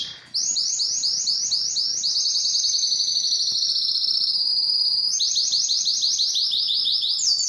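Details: Belgian canary song aimed at arousing females for breeding; series of sweeping slurred notes leads into a long dense buzzing trill, then returns to rhythmic repeated sweeps.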